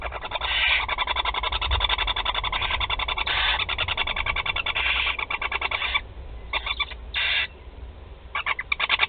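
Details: Feeding of four barn owl young at the nest, Théding, 16 July 2020: long stretches of fast, grating, pulsed chatter with overlapping hissy swells, then broken into short breathy hisses and brief clicking runs.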